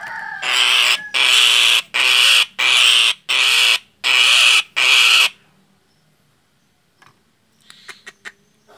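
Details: Nias hill myna in fright, a sound used to lure birds: six loud, harsh, rasping screeches of about half a second each, evenly spaced, followed by quiet with a few faint clicks.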